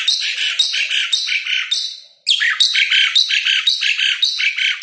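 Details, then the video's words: Jalak suren, the Asian pied starling, singing in a recording meant to stimulate caged starlings. Rapid repeated harsh, metallic notes stop for a short gap near the middle, then resume at the same fast pace. "MASTERAN SUARA BURUNG JALAK SUREN GACOR | GRACUPICACONTRA | ASIAN PIED STARLING SOUNDS"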